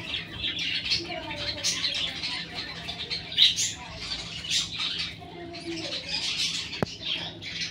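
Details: Caged classic budgerigar breeding pair whose chicks have hatched; dense, scratchy chattering and squawks run throughout, with brief louder bursts and faint lower warbles beneath.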